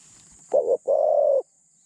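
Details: One cooing phrase from a spotted dove kept as a decoy for trapping doves, described as mid-pitched with light phrasing: a brief broken note, a short gap, then a long steady coo.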